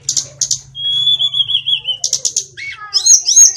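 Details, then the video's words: Small sulingan bird from Kokap, Kulon Progo, Yogyakarta, known to copy many songs: two buzzy bursts, a long wavering whistled trill, more buzzy notes, then tangled high warbling phrases. "tledekan/sulingan gunung gacor"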